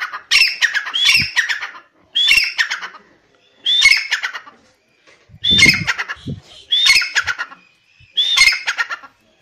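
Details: A francolin (partridge), one of the male and female voices played to show the difference between the sexes, gives six loud, harsh, squawking phrases laced with shrill whistled notes, one every one and a half to two seconds, with a few low thumps between.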